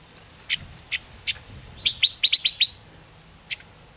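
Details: Chim ngũ sắc (Gouldian finch) song used as a trapping lure: a few short separate chirps, then a quick burst of six sharp high chirps, and one final chirp after a pause.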